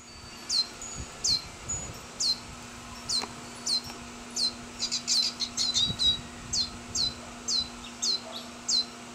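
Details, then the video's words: A juvenile Lesser Goldfinch in Orange County, California, begging excitedly as its father lands on its branch to feed it, repeats high, thin, down-slurred chirps about twice a second, speeding into a quick burst midway, over a faint low hum. "Birdy Chirps Say Feed Me!"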